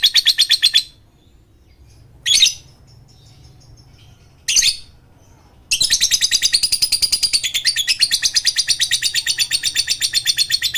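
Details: Lovebird lure sound to make silent lovebirds sing: short bursts of harsh high chatter separated by gaps, then a sustained fast buzzy trill in the second half.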